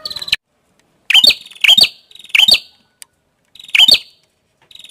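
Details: Prinia, known locally as prenjak kepala merah, singing: a buzzy rasping trill leading into loud, sharp, high chirped notes, three such phrases with short silences between, on an otherwise quiet background.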